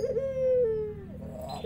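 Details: Local spotted dove in lively song: two short low notes lead into a long, smooth coo that slowly falls in pitch, with a faint note at the end.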